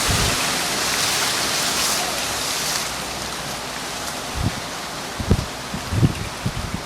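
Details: Heavy rain patters steadily throughout, followed by a few dull knocks, and no bird or other animal is audible.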